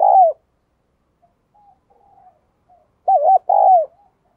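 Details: Spotted dove giving a loud single coo at the start, then a louder pair of cooing notes near the end, with faint distant coos in between.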